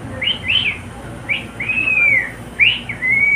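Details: A male pet cockatiel singing along with a companion: paired bright chirping whistles, then a long gently falling whistle, more chirps and a closing steady whistle.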